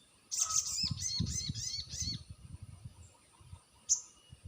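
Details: Crested jay lure call used to coax mute birds into answering: a fast run of about six bright, descending chirps with harmonics, then one isolated sharp high note, over low rumble.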